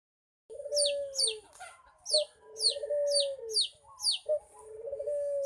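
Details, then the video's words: Young local Barbary dove learning to coo: low, drawn-out coos rising and sliding down, with sharp high descending chirps from other birds repeating over them throughout. "burung Puter belajar manggung"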